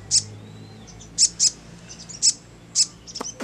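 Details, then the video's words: Sogon giving scattered ngleper-style notes, single high sharp chirps spaced about half a second to a second apart, with faint softer calls and a click near the end. "SOGON MANAPUN CEPAT NYAUT NGLEPER"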